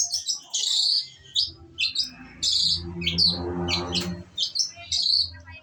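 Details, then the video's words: A female long-tailed shrike delivers quick bursts of high, rasping chirps in short phrases separated by pauses, with a low droning hum rising in the middle. "kicauan cendet betina"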